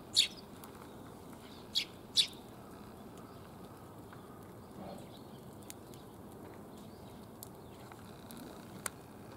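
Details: Sparrows gathering to be fed, 1 January 2022, on the way home: three sharp high chirps early on, then mostly quiet with faint ticks.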